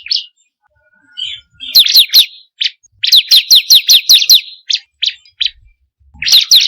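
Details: Bar-winged prinia, recorded as a lure for kept birds: isolated chirps build into a run of about eight loud downslurred notes, then single spaced chirps and a new burst at the end.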